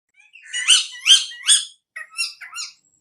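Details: Parrot filmed on an iPhone giving three loud, rasping, chirpy calls, then a pause and a few thinner, higher squeaky notes.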